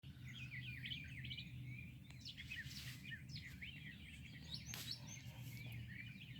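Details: Birds heard early in the morning: many overlapping short chirps and twittering phrases from several birds, with a steady low rumble of background noise throughout.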